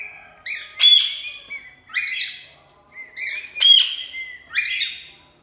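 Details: Parrot giving loud, harsh chirping calls in bursts about once per second, the squawky notes mixed with brief clear whistled tones and short buzzy trills between them.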